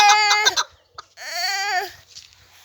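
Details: Chukar partridge kept as a hunting bird: a burst of loud, rough clucking notes, then a drawn-out, strained call that rises and falls, followed by quiet faint knocking sounds.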